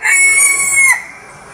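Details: Tail of a bantam cock's crow: a clear, held, slightly descending note that drops off sharply, leaving low hum.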